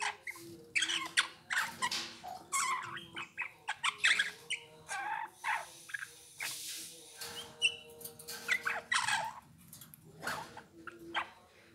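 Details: Song of a Eurasian bullfinch: a continuous stream of creaky, grating notes and soft squeaks with a few faint tonal whistles, delivered in uneven bursts over a steady low hum.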